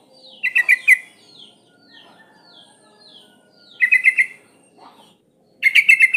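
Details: Breeding female sooty-headed bulbul calling males: three short bursts of rapid bubbly notes, separated by soft downslurred whistles from other birds.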